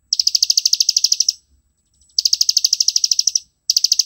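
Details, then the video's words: Plain prinia, an insect-eating bird of grassland and rice fields, delivering ngebren master song: three bursts of rapid, regular high buzzy notes, each over a second long, separated by brief silences. "ciblek sawah ngebren cocok buat masteran"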